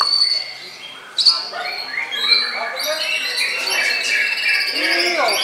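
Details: Bowing white-rumped shama pouring out a varied song, starting with sustained high whistles, then a loud burst and a rapid run of bright chirps and trills, with faint talking underneath.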